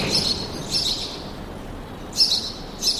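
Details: Forest birdsong heard as short, very high chirping bursts in four separated clusters, at about 0.2, 0.8, 2.2 and 2.9 seconds, with quiet hissy gaps between them.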